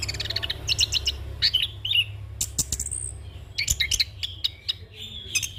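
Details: Young orange-headed thrush in continuous rolling song, recorded to train and lure birds: bursts of bright chirps and short trills alternating with sharp clicks, under a low background hum.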